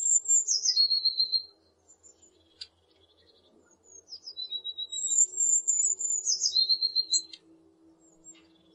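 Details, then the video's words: Two song phrases from a Eurasian blue tit, each a high, thin trill that slides down to a steadier, slightly lower, rapidly repeated note, separated by a pause with faint background hum. "Bird songs - Pretty melody of Blue tit."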